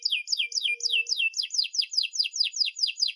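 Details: Singing canary used to teach young birds to sing, delivering a long, sharp run of downward-swept whistles that speed up into a rapid rolling trill of quick repeated notes.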